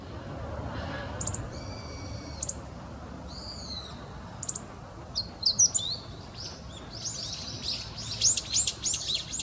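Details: Meadow bunting song: scattered high, thin chirps and short whistled notes early on, then a fast run of sharp, varied, jangling notes toward the end, over steady low background hiss.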